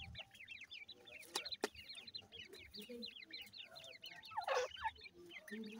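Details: A mother grey francolin tending chicks as they forage: steady chorus of thin, high, bending peeps, a couple of loud clicks, and a louder squeaky call near the end.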